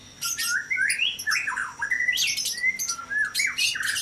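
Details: Several white-rumped shamas in a breeding cage at dawn, noisy: harsh squawks mixed with slurred whistles and scratchy high bursts, sounding crowded and busy over a faint constant high tone.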